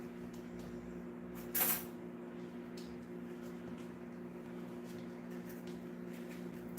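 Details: Steady low electrical hum fills a small indoor room, with one brief sharp click or knock early on and faint scattered ticks throughout.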